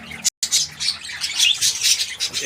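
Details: Small captive parakeet colony recorded 14 January 2025: dense high chattering and squawky warbles from several birds overlapping continuously, with a brief dropout near the start.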